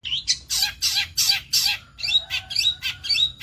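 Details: Long-tailed shrike of the dark-headed 'kepala gosong' type, from Indonesian shrike breeding: harsh, scratchy squawks repeated about three times a second, then buzzy chattering notes mixed with thin whistled tones.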